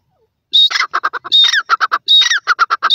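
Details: Caged grey francolin calling: a loud harsh phrase opening with a high whistled note, then a fast run of rasping clipped notes, repeated three times within a few seconds.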